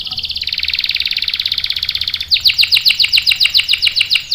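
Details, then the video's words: Canary giving a long rolling song used for tutoring young males: a smooth, fast buzzing trill of over two seconds that shifts into louder sharp chirps repeated about four times a second. "KENARI GACOR NGEROL panjang bagus untuk PANCINGAN dan MASTERAN paud | CANARY SINGING"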